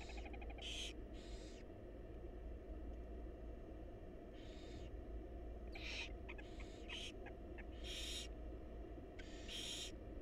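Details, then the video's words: Barn owl chicks in a wild nest box hiss and screech for food as the mother feeds them; a dense run of overlapping rasping calls, some brief and choppy, over a constant low drone. "Barn Owl Mom Lovingly Feeding Her Adorable Babies"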